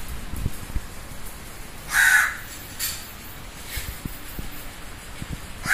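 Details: Crow giving a single loud, harsh caw about two seconds in, followed by quiet background rumble and faint clicks, with one more caw starting at the very end.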